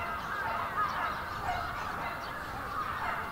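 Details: Crowd of bramblings, a big winter flock at Yoyogi Park in February 2019, heard as an even, dense murmur of overlapping calls swelling slightly at moments.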